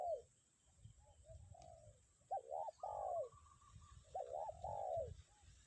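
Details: Calling spotted dove, a lure bird, in strong wind: phrases of quieter coos then a loud double coo and long falling coo, repeated twice, over rumbling wind.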